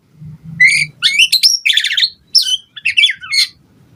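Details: Song of a white-rumped shama meant to provoke other birds to respond: dense, high, chattering and whistled phrases in rapid bursts, harsh and varied, with a faint low hum early on.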